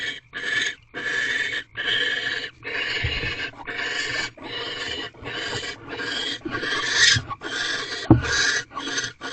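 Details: Barn owl pair inside a nest box before dawn, 4:26 am, the male delivering prey and mating with the female; a near-continuous chain of rough rasping hisses with brief gaps and a few soft knocks.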